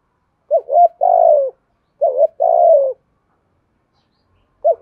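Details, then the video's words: Spotted dove decoy in the rare 'giọng thổ' voice, said to be one in thirty, cooing to provoke rival males: two paired phrases, each a short rising double note followed by a long buzzy coo that falls at the end. "tiếng cu gáy kích bổi giọng thổ hay và đẹp 30 con mới có 1"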